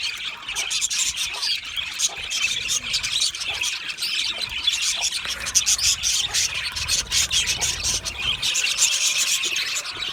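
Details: Budgerigars singing and chirping in a busy, continuous warble of rapid high chirps, squeaks and short whistles overlapping throughout, with no pauses and a steady lively level.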